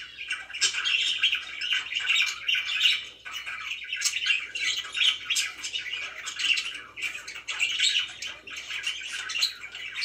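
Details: Pet budgies indoors in long, unbroken chatter: high warbling chirps mixed with harsh squawks, pulsing in bursts throughout, with a faint low hum underneath.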